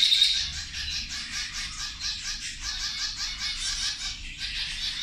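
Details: Feeding zebra finches chatter in fast, pulsing high nasal notes, closely packed and overlapping, with a quiet low hum beneath.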